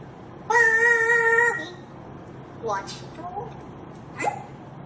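A grey parrot holds a steady, voice-like tone for about a second, then gives three short, quick sliding syllables in a quiet room.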